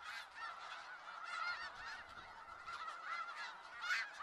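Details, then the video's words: Skagit Valley snow geese, close flock giving loud nasal yelps and honks in quick succession, a bright call standing out near the end above the dense chorus. "Sounds of Snow Geese"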